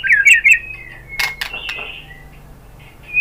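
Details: White-rumped shama singing as a lure to draw replies: quick warbled whistles at the start, then a long flat whistle and a few scratchy bursts, fading to near quiet before a final clear note.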